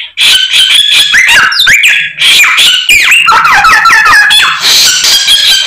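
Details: White-rumped shama in full, vigorous song packed with varied fill-in phrases: loud, rapidly changing whistles, sliding notes and chattering trills in quick succession, with barely any pause.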